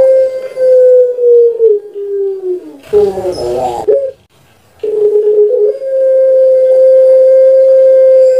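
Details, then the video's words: Captive Barbary dove (puter pelung, Streptopelia risoria) from Java, Indonesia, kept for its cooing, gives long, steady, mid-pitched drawn-out coos that sag slightly before a brief noisy burst, then resumes one long held note; used to prompt other doves to call. "Puter Pelung Suara PANJANG"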